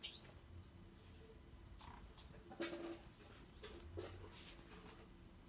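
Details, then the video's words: Bewick's wren fledglings give thin, high chips and short scratchy notes at irregular intervals, roughly once a second, over a low steady hum and faint background noise. "Bewick's wren fledglings"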